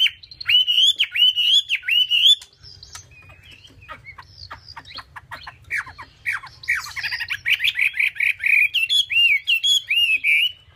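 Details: Chinese hwamei, a caged songbird, singing loud looping whistles repeated about once a second, then a quieter stretch of clicks and scratchy notes before building into rapid, rolling whistled phrases repeated in quick series.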